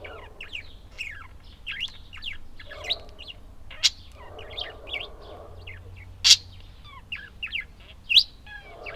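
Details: Budgerigars chattering: a busy stream of short, sharp chirps and squeaky warbled notes, with a few louder shrill calls standing out toward the end, over a faint low hum.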